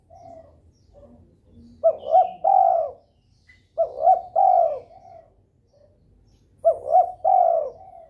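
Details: Spotted dove calling in breeding mood to encourage rival birds to call back: repeated low phrases of two short rising coos and one longer coo, spaced about two and a half seconds apart.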